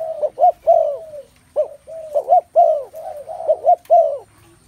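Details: Chorus of spotted doves: repeated soft coos, short paired notes rising then dropping, each group closing with a longer sliding coo, phrases overlapping almost without pause.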